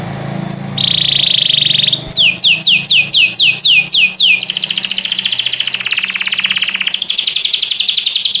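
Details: Canary song: a rising note, a steady trilled tone, a row of sharp down-swept whistles, then a long rapid high buzzing trill; faint low hum underneath.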